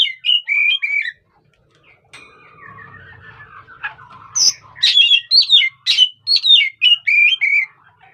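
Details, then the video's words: Oriental magpie-robin sounding off to provoke other birds: rapid warbled and whistled phrases with rasping notes, broken by a faint sliding tone and low rumble in the middle, then a steady run of phrases resumes. "pancingan emosi burung kacer"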